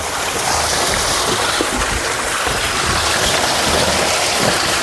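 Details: A steady, loud rush of flowing water or rain fills the whole recording, with no animal voice standing out.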